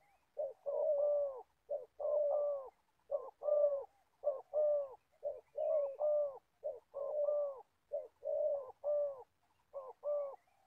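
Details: Spotted dove kept as an old trapping decoy in Gia Lai, Vietnam, delivering a long continuous run of hollow low coos, short notes paired with longer arched ones, nearly one phrase a second.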